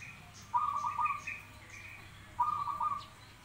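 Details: Two staccato cooing phrases from a zebra dove, each a quick run of pulsed, slightly rising notes, over a soft steady background hum.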